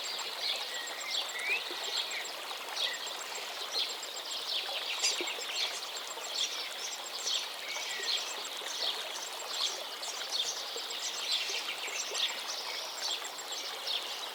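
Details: Forest birds singing over a river water stream: scattered high chirps, short trills and thin whistled notes throughout, with continuous broadband rushing of flowing water underneath.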